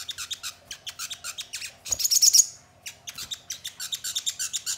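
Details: Crested jay recording used as a lure to make kept birds sing and respond: rapid bursts of high, scratchy chattering notes, with a louder rasping burst near the middle and a short pause before the chatter resumes.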